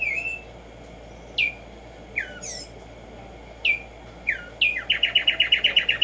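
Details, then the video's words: Morning song of the Black-striped sparrow: isolated sharp downslurred whistles a second or so apart, then a sudden fast, metronomic trill of bright repeated notes lasting over a second. "HACER TRINAR a Tumba Yegua Audio para estimular el CANTO a estas bellas aves en la NATURALEZA"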